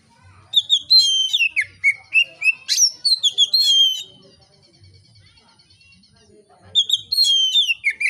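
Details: Relaxed, loud oriental magpie-robin song, used to coax other magpie-robins to sing: a busy string of whistled, sliding notes and quick upsweeps, then several seconds of near silence before the singing resumes.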